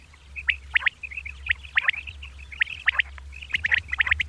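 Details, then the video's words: Common quail female, locally batair, calling at dawn: bright, sharp notes in quick pairs and triplets over soft, steady piping dots. A constant low hum runs underneath throughout. "Female Batair Calling | Suba Lagaty waqte Ki Awazay| Batair Ki Awaz Suba ki liye|Common Quail Calls|"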